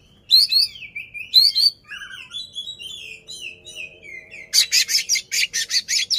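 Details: Oriental magpie-robin in tail-spread display, singing to rile an opponent: looping descending whistles and trills, followed by a steady string of loud harsh rasps about four per second.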